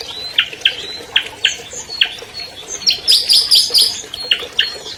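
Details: Song of an albino long-tailed shrike, a 2020 champion, meant to provoke silent shrikes to sing: scattered harsh chips, then a quick burst of high, sharp whistled notes before further raspy chips.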